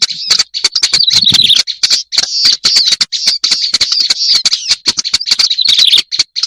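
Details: Black-browed reed warbler, recorded as a lure: dense, grating high chatter running almost nonstop, studded with crisp clicks, with occasional short breaks and a faint low rumble near the start.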